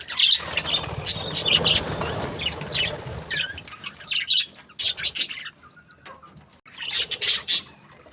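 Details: Budgies chirping, busy overlapping chatter at first with a low background rumble, then thinning into separate sharp chirps and short whistled notes with quiet gaps between them.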